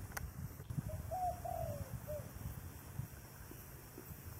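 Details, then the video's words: Single cooing phrase from a dove sung in thổ đồng voice: brief opening hoot, a brighter accented coo, a long descending slurred note, then a clipped last syllable, over a steady low background rumble. "chim cu giọng thổ đồng"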